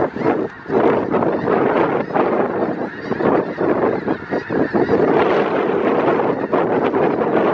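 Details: Congregation of roughly 5000 snow geese in winter, south Grayson County, Texas, February 2018: relentless overlapping honks from the whole flock, the chorus swelling and fading in waves across several seconds.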